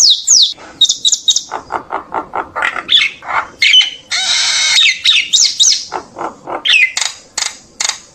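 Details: Common myna singing to summon the flock: high squeaky whistles, a run of rapid low chuckling notes, then a long grating rasp and more shrill squeals and whistled slurs.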